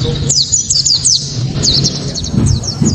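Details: Loud 'tembakan' song of a white-eye for luring others to sing: a few fast high descending whistled slurs in two short bursts, with low rumbling hum underneath.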